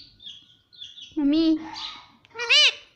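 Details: Pet parrot talking, with words like mummy and papa: faint high chirps, then two loud, speech-like syllables with a swooping, rising-falling tone.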